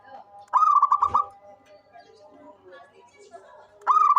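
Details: Local zebra dove, an active caller used as a lure: one burst of rapid rolling coos, a low thump, then murmured background sounds before a second burst begins at the end.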